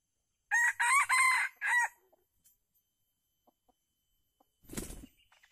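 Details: Wild red junglefowl in Calang, Aceh Jaya, lured by a captive decoy bird during trapping on 12 February 2020. One loud, clipped crow of four quick harmonic bursts lasts under two seconds. A brief thump and rustle follow.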